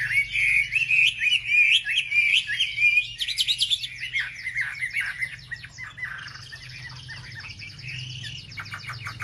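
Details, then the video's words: Wambi song for provoking other wambi birds: fast, jumbled warbling phrases of high chirps and slurred notes, pulsing about every half second, later shifting to quick buzzy trills over a low background hum. "pancingan suara wambi paling ampuh untuk memencing emosi burung wambi"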